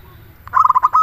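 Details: Local zebra dove singing, used to lure and provoke other zebra doves into answering: a short series of quick, bubbling mid-pitched coo notes ending in a held tone.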